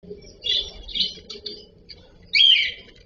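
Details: Cockatiel (cocktail parrot) giving three harsh, rising chirped calls, two close together early and a louder, longer one near the end, over a faint steady low hum.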